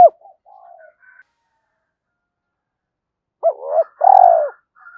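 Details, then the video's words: Spotted dove lure cooing: a soft low opening, then a long silence, then a double hooked note and a drawn-out buzzing coo near the end. "tiếng cu gáy mồi gáy gọi hai hậu giọng chuẩn kích nhanh"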